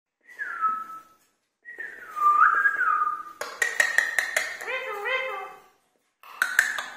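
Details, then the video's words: Talking Indian ringneck parrot: whistled falling phrases, then a buzzy, rapidly pulsed stretch of imitated speech-like sounds with gliding tones, ending in another short burst. "Indian Ringneck Talking Parrots"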